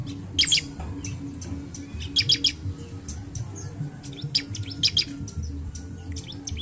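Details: Bar-winged prinia; song; lure to make other birds sing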